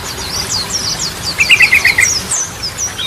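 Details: Brief Yellow-vented bulbul song used as a lure for silent birds; thin high slurs, then a short rattling trill in the middle.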